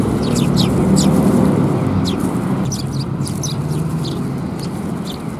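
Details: Several sparrows at a Tenmangu shrine on 23 December 2021 give short, sharp, high chirps in scattered bursts, some in quick runs, over a steady low rumble of traffic.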